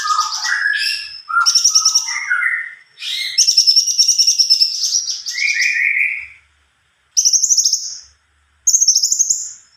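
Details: Varied song from an actively singing greater green leafbird: rich slurred whistles at several pitches alternate with quick high rattling runs, ending in short separate chattery bursts with brief silences.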